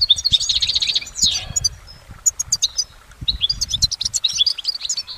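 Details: Singing goldfinch in nature, opening with a dense rapid trill, pausing briefly, then resuming with scattered sharp chips and lively twittering phrases; faint low background noise.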